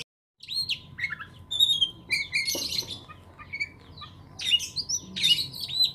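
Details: Lakbet bird giving varied song from a long recording: clear whistled slurred notes, downward sweeps and scratchy twittering, with a faint steady hum behind.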